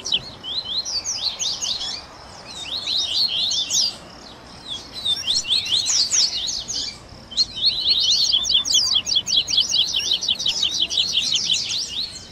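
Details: Double-collared seedeater baderna with grego, viviti, flauteado and third-note variations, used to train and warm up captive birds: short bursts of rapid, high chirps separated by pauses, ending in a long, steady, quick-fire run.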